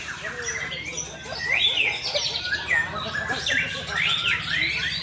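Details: White-rumped shama in a songbird-hobby matchup: varied song of looping up-and-down whistles, repeated swooping phrases and scratchy chips, sung continuously over faint low hum, with an Indonesian voice commenting around it.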